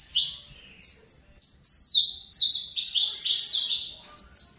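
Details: Juvenile Fibra Saffron finch, bred in captivity: near-continuous song of emphatic downslurred chirps and short flat whistles, rapidly repeated with a final rising phrase.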